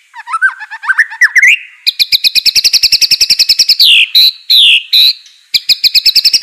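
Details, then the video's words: Aceh white-rumped shama master song used to train birds: a jumbled rising twitter gives way to a long, loud, rapid rattle of bright notes. Descending whistles and sharp bursts interrupt it before the rattle resumes. "MASTERAN MURAI BATU ACEH"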